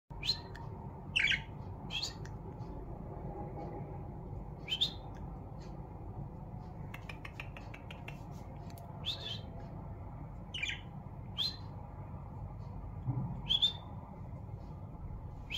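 Budgerigar giving sharp, squawky chirps every second or two over a steady low hum.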